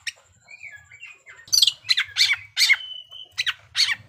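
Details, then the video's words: Oriental magpie-robin in full fighting song, used as a lure to raise the anger of rival males: soft warbled notes, then a run of loud harsh chattering bursts and a short steady whistle. "pancingan kacer gacor tarung menaikan emosi kacer lawan"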